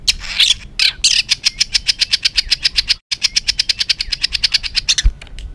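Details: White-rumped shama in an agitated, rough-style training song meant to provoke other birds: a fast, even train of sharp, high, clipped notes, about six per second, broken by a brief gap midway.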